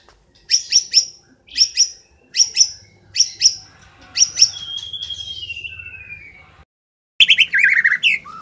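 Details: Training recording of cililin song for white-rumped shamas: paired sharp high whistled notes repeated about once a second, then a long falling drawn-out whistle, a pause, and a brief burst of rich warbling.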